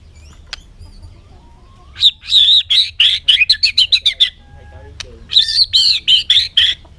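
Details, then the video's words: Bird chattering: quick bursts of buzzy, high-pitched notes repeated several times a second in two runs, separated by a short pause with a faint whistled slide. "suab noog quaj zoo heev"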